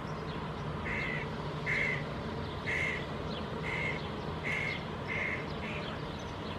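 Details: Young Hooded Crow (Corvus corone cornix) fledgling in a Finnish city park in June 2022, giving a rapid series of seven short, rasping calls, roughly one every 0.7 seconds, against a steady low drone of distant noise.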